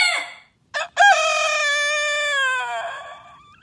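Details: A rooster gives a short opening note, then one long, sustained crow that holds a steady, strongly harmonic tone. It slowly falls in pitch toward the end and fades away.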